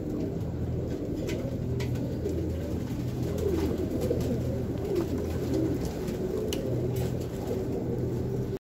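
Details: Racing homing pigeons of selected breeds, adults and young kept as pairs: soft, low cooing phrases rising and falling, partly buried under a constant low rumbling hum, with occasional faint clicks and knocks.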